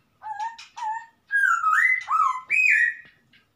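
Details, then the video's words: Forest-dwelling wild masked laughingthrush giving a rich whistled song: two brief level notes, then a sequence of sustained sliding whistles stepping up and down in pitch, loud and clean with no other sounds. "suara Poksay asli hutan"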